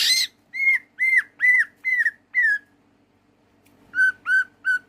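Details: Greater green leafbird singing: a harsh burst opens a run of five loud, arched whistled notes about half a second apart, then after a pause three lower whistled notes repeat in the same rhythm, over a faint steady hum.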